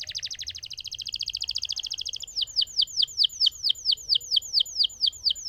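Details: Lemon canary rolling song: a long buzzy trill over two seconds, then a steady series of loud descending whistled notes about three per second.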